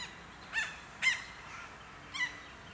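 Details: White-winged choughs in a family group, Capertee Valley, NSW, in October 2018, in open forest, woodland and farmland, give three short, harsh rasping calls at uneven intervals, each with a faint whistled edge.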